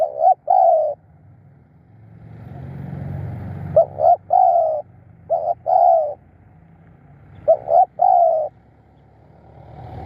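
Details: Decoy spotted dove calling to draw in wild doves: four phrases of clipped double notes leading into a drawn-out coo, with a swelling engine-like rumble in the background.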